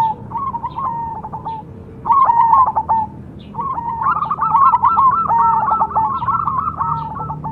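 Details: Zebra dove of the perkutut cemani type sings three phrases of quick staccato cooing notes pitched around the middle range. The last phrase is longer and runs on for over three seconds, over a faint low hum.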